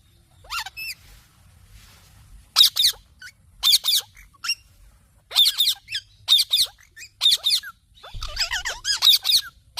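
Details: Parrot, apparently a ringneck kept as a talking pet, giving bursts of high squeaky chirps and rapid warbled notes in short clusters separated by brief pauses, with faint low background hum.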